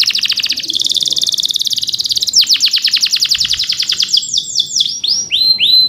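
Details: Rolling trills from a male canary, recorded as a lure to provoke other canaries. A dense high buzzing roll is followed by fast chips and then looping whistled notes rising and falling.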